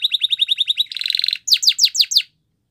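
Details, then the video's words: Spanish Timbrado canary training song: a quick series of repeated chirped notes, then a dense buzzy metallic roll, ending in several sharp descending high whistles spaced evenly before silence. "Canary Singing Training Video"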